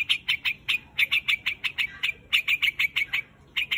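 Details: White-headed grey quạch bird calling its flock: short, sharp chirps repeated in quick, uneven bursts, each note clipped and bright, with brief pauses between clusters and a quiet background.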